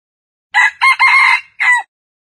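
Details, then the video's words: Red junglefowl (wild chicken) gives a short, harsh crow of four clipped syllables, shorter and more abrupt than a farm rooster's, over a silent background. "Jungle Fowl Sounds ( wild chicken)"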